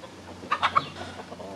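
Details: Free-range chickens, a rooster with hens, scratching around in the woods and chasing bugs. Three quick, loud clucks come in rapid succession, followed by a few softer clucks over a steady low background hum.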